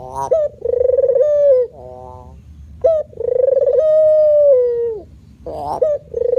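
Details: Male spotted dove cooing in the manggung style, with drawn-out steady coos over a second long, each broken by brief upward-sliding notes and a softer buzzy stretch, and short pauses between them.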